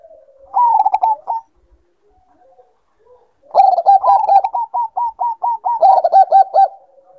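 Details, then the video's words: Bangkok-type zebra dove in breeding condition. A short staccato coo phrase is followed by a long exchange in which a steady series of clipped higher notes overlaps lower rapid cooing, suggesting two birds calling together. "Naikan Birahi Perkutut Bangkok"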